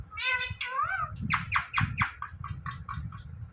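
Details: Talking parrot repeating the word "Mithu" indoors: clear harmonic speech-like calls with rising and falling pitch, followed by a rapid run of short harsh chattering notes, with low room rumble beneath.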